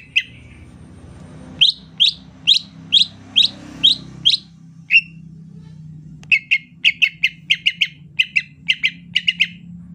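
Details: Greater green leafbird singing smooth 'ocehan lemas' chatter in the rainy season. Evenly spaced sharp chips form one run, then after a pause a faster, stuttering run of paired notes follows, over a soft background hiss and hum.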